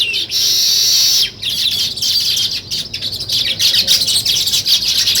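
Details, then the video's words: A dense, loud chatter of high chirps from weaver birds building a nest, briefly dropping away near the start, then returning as choppy, pulsing chirps. "Natural Sparrow Chirping Sounds | Weaver Birds Building Nest"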